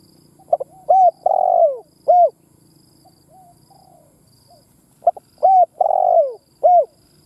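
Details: Spotted dove used as a decoy, cooing to provoke other doves: two matching phrases about four seconds apart, each with clipped opening notes, a long descending coo and a closing short coo, with faint low hum between phrases.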